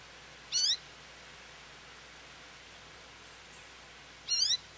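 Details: American goldfinch calling for attention at a feeder: a pair of brief upslurred, nasal call notes about four seconds apart against a soft, constant background hiss.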